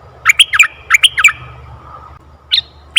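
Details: Forest red-eyed bulbul calling, used to lure wild bulbuls: loud, rapid runs of bright chirping notes in two quick phrases, then a brief pause and a few more chirps, with low background hum.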